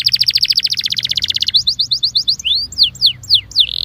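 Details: Belgian canary song used to warm up canaries: fast buzzy trill of repeated high notes, then a quicker rolling trill, ending in sweeping whistled slurs and a short buzz.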